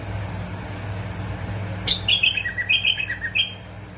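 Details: Song of a bulbul from Basra and Fao, meant to prompt bulbuls to sing: a tumbling run of clear, bubbly whistles that starts high and falls, then lifts again, over a faint droning hum.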